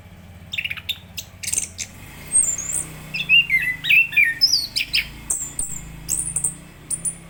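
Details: Enggano thrush song of sharp, high slurred whistles and chirps, some very high and thin, delivered irregularly over steady low background hum.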